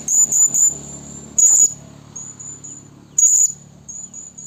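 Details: Female Blue-crowned hanging parrot calling males, used as a trapping lure: a rapid cluster of sharp, shrill chirps, then two more loud bursts nearly two seconds apart, with a steady high thin tone running throughout.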